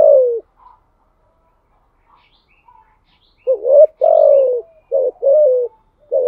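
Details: A spotted dove repeats its thúc gù cooing. Each phrase is a short lead-in coo followed by a longer, drawn-out falling note, and the phrases come in quick succession after a quiet gap.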